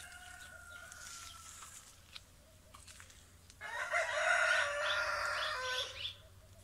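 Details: Roosters crowing back and forth in the morning, as if challenging each other: a faint, drawn-out crow in the distance, then a loud, harsh crow lasting over two seconds, as if answering the first.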